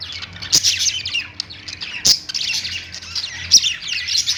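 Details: Budgerigars kept as pets singing on a perch, with lovebirds: chattering warble in uneven bursts, broken by a few loud sharp clicks.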